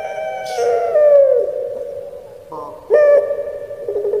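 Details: Javanese puter pelung Barbary dove sounding its crying style: a long, slowly falling coo, a soft gurgle, then a sudden bright rising note and trailing throaty purr.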